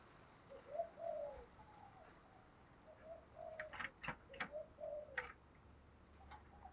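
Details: Spotted dove decoy bird with the thổ pha đồng voice style, used to lure wild doves, giving soft hollow coos at moderate pitch in a phrase, among sharp clicks and knocking noises.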